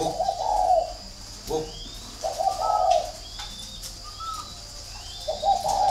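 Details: Spotted dove of the "thổ" cooing type at a bird garden in Ba Vì, Hanoi, Vietnam: low, hollow coo phrases repeated with short gaps, thin whistles from other birds and steady background hiss.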